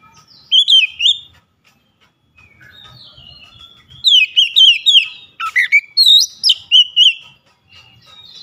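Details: Oriental magpie-robin in full song, beak held wide: a bright whistled phrase, a pause, then a long fast run of piercing rising and falling notes with a few harsh squeaky bursts mixed in.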